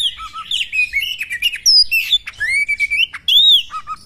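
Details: Female Oriental magpie-robin singing to provoke a male into tail-spreading and fighting; clear sliding whistles and upward-sweeping notes mixed with quick chirps, a few short pauses between bursts.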